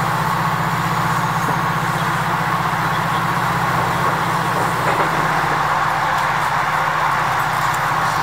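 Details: Loud, continuous rolling roar of a train or heavy traffic, with no animal sounds.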